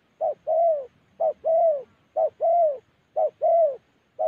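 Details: Gia Lai spotted dove in the Central Highlands of Vietnam repeating a steady two-part coo, a brief clipped note then a longer smooth one, roughly once per second, over a faint low background.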